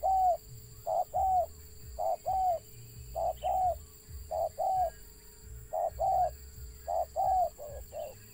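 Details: A wild spotted dove with a stutter calls repeatedly. Clipped short notes lead into rounded, slightly descending coos in about seven rhythmic phrases over a steady electrical-sounding hum.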